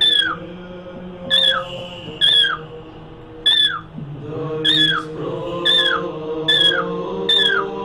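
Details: A pet cockatiel calling before religious icons, repeating a loud whistled note that slides downward roughly every second, over steady low droning tones like chanting.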